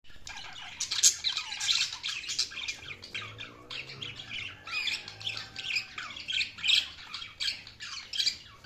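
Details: Budgerigars chirping while feeding: a dense flock chatter of harsh, buzzy squawks and warbles, mostly high-pitched, overlapping continuously with no pauses, plus a faint low hum in the background.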